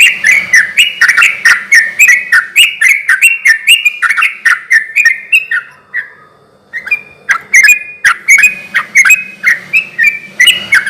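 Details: Sooty-headed bulbul in constant song, played as a lure so other bulbuls answer: rapid bubbly warbled phrases near mid pitch, roughly four a second, with sharp clicking ticks between them and a brief pause midway.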